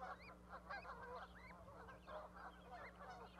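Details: Nesting goose with goslings on an osprey platform in Charlo, Montana, May 12, 2020. Rapid bursts of honking calls mixed with thin, looping higher notes, continuous low hum beneath.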